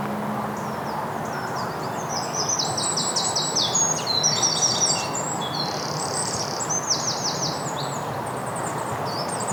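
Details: A Goldcrest in spring woodland in Basingstoke, Hampshire, UK, on a Sunday morning, calling and possibly displaying overhead, gives very high, thin, rapidly repeated notes in short shimmering bursts. A steady low rumble of traffic runs underneath.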